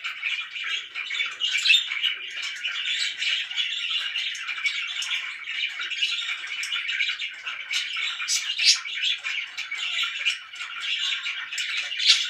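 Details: Several loud pet budgerigars chatter without a break: a continuous wall of high twittering, squeaks and warbles, with sharper chirps standing out now and then.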